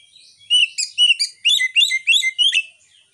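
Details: White-rumped shama lure song, phone-recorded, meant to rouse young or non-singing shamas into singing; after a faint start, a fast series of about eight bright, slurred chirping notes in quick succession, clean background.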